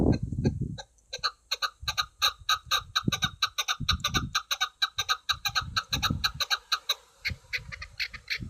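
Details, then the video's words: Hunting chukar partridge singing: a long, steady train of sharp, harsh chuk notes, about two per second, repeated throughout, with deep thumping and rumbling noise in bursts underneath. "شکاری چکور آواز خوبصورت آواز کبک"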